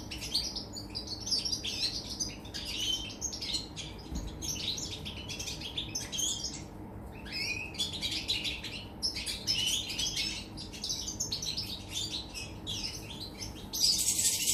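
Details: European goldfinch singing on 24 August 2019, a long continuous stream of fast, tinkling, twittering notes with brief gaps, ending in a sudden loud hiss-like burst of noise; faint low hum throughout.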